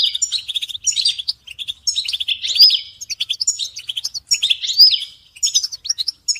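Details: Caged European goldfinches, the song meant to stir silent males into singing: continuous bright twittering phrases, liquid chirps and nasal buzzy rolls with rising sweeping notes, several birds calling together in rapid, uneven bursts.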